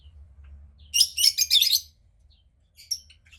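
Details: A female cockatiel chick about 15 days old, hatched from a pied cockatiel pair, gives a burst of harsh, raspy, high-pitched notes. There are four or five quick pulses within one second, then silence and a brief fainter rasp.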